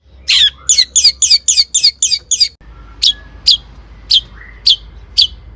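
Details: Long-tailed shrike singing to prompt other shrikes into song; a rapid string of sharp, squeaky notes, then slower single chirps about twice a second with a brief rising whistle.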